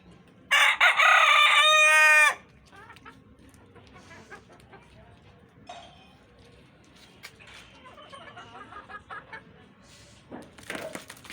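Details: Rooster crowing once, a loud harmonic cock-a-doodle-doo lasting under two seconds that ends in a falling note, followed by quieter chatter and background voices.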